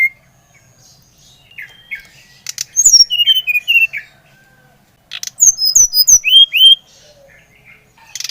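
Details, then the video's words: Song of a brown-chested jungle flycatcher, played to excite other birds to sing: high thin whistles cascading downward in two lively phrases, ending in rising upslurred notes, over a quiet background. "Kicauan SRDC Bali Gacor Merangsang srdc Bahan agar cepat Ngeplong Gacor"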